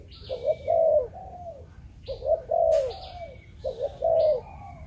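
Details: Spotted dove of the Malaysian breeding strain giving the 'chụp chụp ô' cooing style: three low phrases of two short coos and one long, wavering coo, repeated about every two seconds, with thin high chirps from other birds behind.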